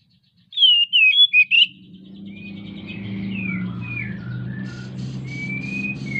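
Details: Oriental magpie-robin in breeding condition, used as a lure to spur other birds into song: a quick burst of bright, twisting whistled notes, then a low rumbling hum with faint fainter warbles and chirps behind.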